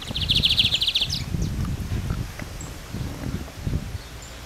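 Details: A lined seedeater (Sporophila lineola) gives one rapid, buzzy, high trill lasting about a second, then a few faint scattered notes over low rustling and rumbling background noise.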